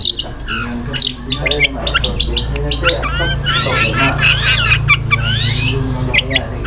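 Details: Long-tailed shrike singing with rough isian kasaran fillers: rasping bursts and chips give way to a run of rising, sweeping whistled slurs, over a strong low hum.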